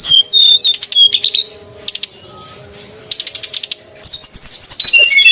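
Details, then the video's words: Female and male srdc bird calls used to attract wild birds: a run of high, thin chirps opens, followed by a near-silent pause with faint clicking bursts, then a fresh string of rapid, piercing whistled notes. "suara pikat burung srdc betina & jantan ribut"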